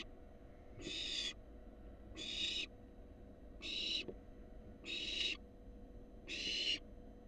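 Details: Hissing, noisy screeches from a wild barn owl fledgling in a nest box as a rat is brought in, five even bursts about every 1.4 seconds over steady low hum.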